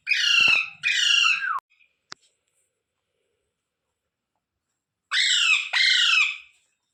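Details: Rose-ringed parakeet, called ringneck parrot, calling in pairs: two harsh, raspy squawks that dip in pitch at their ends, a silent pause of several seconds with one click, then another matching pair of grating squawks.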